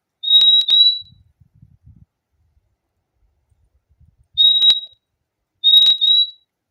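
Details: Purple-throated euphonia (fim-fim) singing: three clear high whistled double notes, each a pair of pure even tones, in two bursts across a few seconds, with faint low rustling between them.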